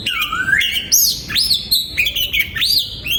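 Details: In a breeding aviary, 2022, an oriental magpie-robin sings clear, loud whistles. Notes rise in arcs, sweep down and climb again, with crisp high overtones between phrases.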